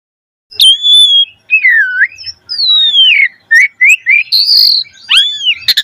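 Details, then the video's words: Vigorous Javan pied starling song meant to coax young birds into singing: long, clear whistles that slide down and then up, with short upward flicks and a high sustained note between brief pauses. "Pancingan Jalak Suren Gacor Mompa"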